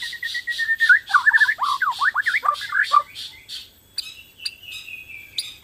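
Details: Borneo white-rumped shama in full song, meant to trigger singing in other shamas: a rapid series of harsh buzzy bursts with twisting warbled whistles woven through, then thinner high notes and sharp clicks.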